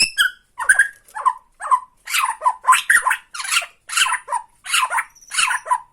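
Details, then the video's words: Bornean white-rumped shama giving harsh tretekan calls meant to provoke and lure other shamas: a string of rasping, noisy bursts, about two per second, some with a falling whistled edge, in a small room. "TRETEKAN MURAI BORNEO MANCING MURAI LAIN"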